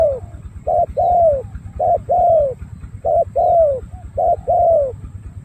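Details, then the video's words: A spotted dove with dark purple legs and ring number 065, praised as a strong cooer, coos steadily. It gives a short note, then a longer mellow downslurred coo, the pair repeated about every second, over a low hum. "Đồng gù bài bản tốt"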